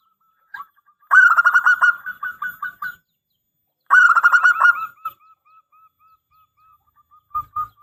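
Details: Strong-voiced local zebra dove singing, used as a lure to draw an answering dove. Two loud phrases of rapid pulsed cooing each tail off into soft, spaced single notes. A brief low thump sounds near the end.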